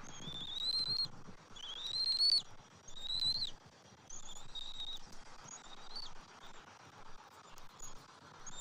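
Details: At a bald eagle nest during a morning feeding on 27 January 2024, with the male bringing fish and red meat to the eaglet: a series of high, thin rising whistles, loud at first, then softer and spaced out, over steady background hiss.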